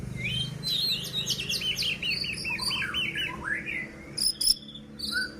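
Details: White-rumped shama song to excite rival shamas: a rapid repeated run of short descending chirps, a sweeping whistle, then scattered high notes over a low hum and hiss.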